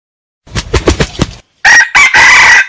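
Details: A wild red junglefowl cock gives a burst of muffled wing-flapping, then a brief pause before a strident crow of three abrupt, shrill segments ending in a longer held note.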